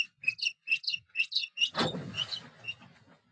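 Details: Osprey at a nest in Puszcza Napiwodzko-Ramucka forest, 14 April 2023, during an attack by a foreign osprey: a quick run of sharp, high whistled notes, then a burst of rough broadband noise and soft low thumps.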